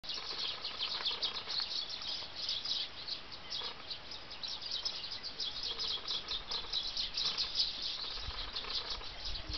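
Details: Tree sparrows on feeders at Bempton Cliffs RSPB Reserve, 20 August 2011: dense, overlapping high chirps and twitters run continuously from several birds, with faint low rumble beneath.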